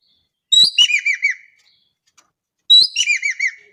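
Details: Javan kingfisher from Indonesia calling strongly, repeating the same phrase twice about two seconds apart: a rasping burst followed by four rhythmic, downward-curving notes.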